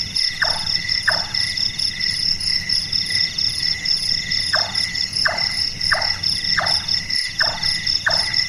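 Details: Large-tailed nightjar, Caprimulgus macrurus, known locally as burung tukang or burung malas, a night-active bird whose voice resembles a person doing carpentry: eight hollow, knocking chonk notes, each dropping in pitch, in two runs. A steady shrill insect chorus plays throughout.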